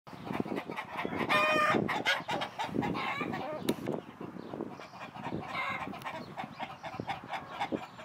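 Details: Domestic chickens at Šinkov štradon, Ljubljansko barje, on 31 March 2023, clucking and squawking in a busy, irregular chorus, with one loud harsh cry near the start and scattered calls throughout; a faint voice may be present.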